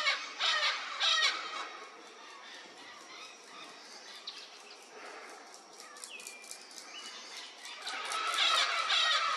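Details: Vinaceous-breasted parrot giving grating, noisy squawks, loud at the start and end with quieter stretches and a short whistled note in the middle.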